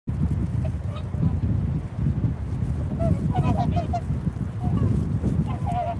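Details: Swans calling outdoors, with short nasal honking notes in scattered bursts, most around the middle and end, over heavy low wind rumble.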